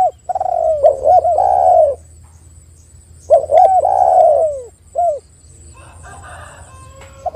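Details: Spotted dove cooing, played as a lure to make other doves start calling: two low, mellow phrases, each a quick stuttered coo running into a long drawn-out slurred coo, then a short coo, with faint chirps and a low hum behind.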